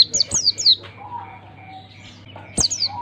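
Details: Oriental white-eye song used to get young birds singing: a quick run of three high, sliding-down whistles opens, then a quieter spell of soft low notes, and a further pair of falling whistles near the end.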